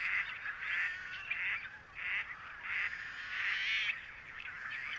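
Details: Greater sandhill cranes on wet meadows of Modoc National Wildlife Refuge, a high-desert summer home in northeastern California; loud rattling calls, roughly one-second bursts repeated with short gaps, over a continuous wash of distant bird calls.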